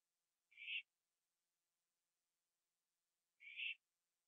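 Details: Owl on a porch late at night, 21 September 2011, finishing a gopher before joining another owl in a tree; two brief harsh, rasping screeches about three seconds apart, with nothing else audible.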